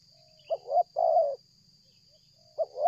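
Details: Persistent cooing of a spotted dove drawn closer during trapping: a soft hiccuping lead-in, then a full rounded coo, and the next phrase starting after a pause; a thin continuous high tone runs throughout.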